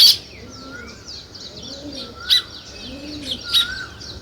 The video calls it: Sparrow Chirping